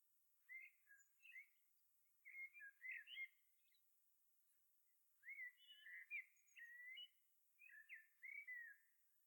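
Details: Eurasian curlew song in Ireland: clusters of liquid slurred whistles in short bursts separated by pauses, over faint steady hiss.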